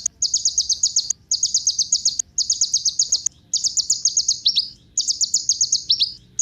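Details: Kolibri ninja sunbird song used to spur other birds into singing: bursts of very high, rapid, buzzy trilled notes lasting about a second each, separated by short gaps, some ending in quick downslurred notes.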